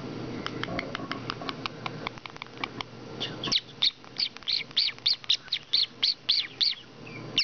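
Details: A male pet parrotlet imitates the word "beep", giving a run of about a dozen short, high, sharp beeps, roughly three per second, after a stretch of clicking, rustling noise.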